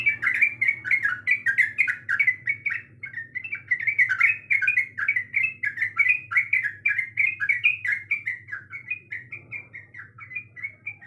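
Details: Female sooty-headed bulbul calling to a male: a long, fast chattering stream of slurred, bubbly notes that continues for over ten seconds, tapering slightly toward the end.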